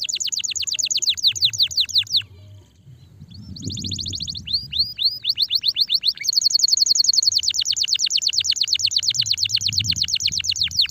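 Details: Canary singing a loud, fast, high song of rapid repeated sweeping trills, changing phrase type several times with a brief pause near the start, meant to stimulate a sluggish canary to sing.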